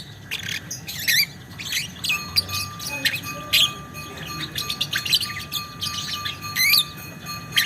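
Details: Lovebird ngekek chatter of high, scratchy chirps in uneven bursts, with a faint steady tone running underneath.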